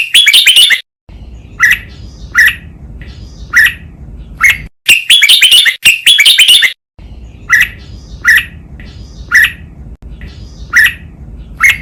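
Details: Red-whiskered bulbul master song for training birds, Thai 'double 2, counted phrases, lak wai' style: dense rattling warbled phrases alternate with runs of single clear chirps roughly every second, over faint low hum.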